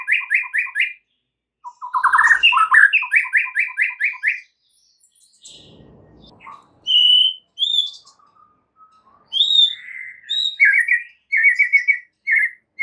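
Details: White-rumped shama song meant for training caged birds: rapid repeated clipped whistle notes in bursts, pauses with faint rustling, then scattered clear whistles and more quick repeated phrases.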